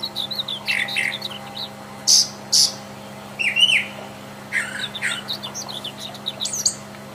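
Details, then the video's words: Brown Thrasher singing in the wild: varied short phrases of chirps and slurred notes, some doubled, separated by brief pauses, over a steady low electrical hum. "Seribu kicau..!!"Brown thrasher"Burung termahal.Gacor di Alam liar."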